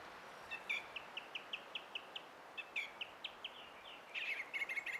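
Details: Singing song thrush recorded 20 April 2016, a series of brief sharp whistled notes repeated evenly about five times a second, then a louder, more varied chattering phrase at the end, with faint outdoor hiss behind.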